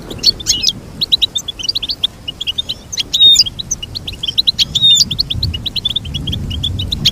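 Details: Goldfinch song for training caged birds to sing: rapid twittering run of short high chirps and trills with a few sharp whistled notes near the middle, continuous throughout, over faint low background rumble.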